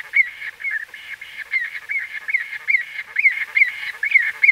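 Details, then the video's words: Close-up white-fronted bee-eater calls, uneven series of short nasal notes that rise and fall, some louder and sharper toward the end, over a constant background chorus. "White-Fronted Bee-Eater. NB: Exact Date Of Recording Not Known. CU Calls From A"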